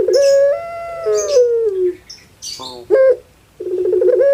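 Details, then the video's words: Kept puter pelung dove from Java, Indonesia, a well-cared-for pet bird: a long sustained tonal coo that slides gently downward and sounds like a crying baby, followed by short breaks and a rapid rolling, bubbling series of notes. "KAGET PARAH DENGAR SUARA BURUNG INI SEPERTI ANAK MENANGIS"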